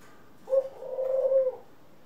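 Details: One short, soft, low coo lasting about a second, from an indoor group of pet doves (ringneck, Senegal and hybrids) in April 2021. The note begins with a brief accent and then holds steady.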